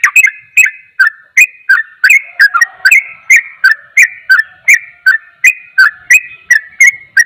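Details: Sooty-headed bulbul singing a rapid 'ropel' song said to make other bulbuls agitated: short clear whistled notes with sharp ticks, about three per second, alternating between slightly higher and lower pitch, with a faint low whistle in the background.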